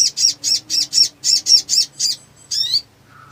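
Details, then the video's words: Excited black sunbird in full song. A rapid series of eight high, buzzy repeated notes is followed by a pause, one upward-sweeping squeaky note and a faint lower tone. "SOGON GACOR FULL EMOSI NGLEPER ! PANCINGAN MACET BUNYI"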